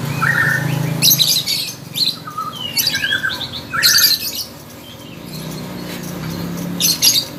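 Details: Contest lovebird singing energetically, mixing shrill scratchy bursts with short rising and falling whistled notes, pauses between phrases and a faint low drone in the background.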